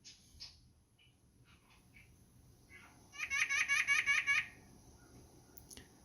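White-breasted Nuthatch giving a quick burst of about seven nasal, laughing 'ank' notes in just over a second, after a few faint single notes.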